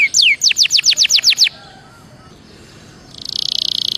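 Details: Belgian canary warm-up song: eight loud falling whistles in quick succession, a quiet gap, then a soft high buzzing trill.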